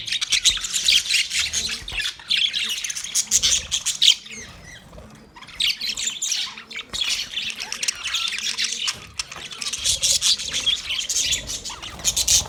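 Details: Male budgerigars in sustained noisy chatter, harsh high chirps and scratchy warbling in long runs separated by short lulls.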